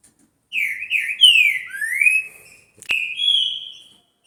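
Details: Green-winged saltator singing a series of rich whistled notes: two short ones, then longer slurred downward and upward sweeps, a brief sharp click, and a final steady whistle that steps slightly higher.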